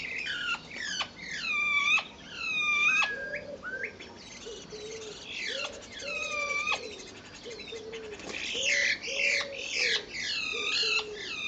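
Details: Two common starlings, either fighting or mating, recorded on April 10th 2011: harsh squawks and falling whistled slurs repeat roughly once a second, with a lower steady tone running beneath some of them.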